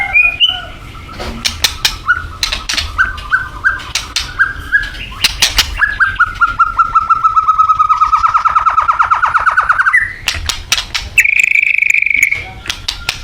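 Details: Thailand-type white-rumped shama delivering a long, steady rapid trill that slowly drops, then a sustained higher whistled note, with short whistles before it and repeated sharp clicking throughout.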